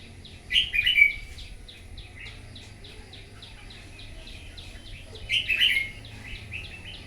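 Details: Red-whiskered bulbul, a wild-caught bird, in morning competitive singing: two loud, bubbling warbled bursts about five seconds apart, with a steady patter of faint high chirps in between and a low hum underneath.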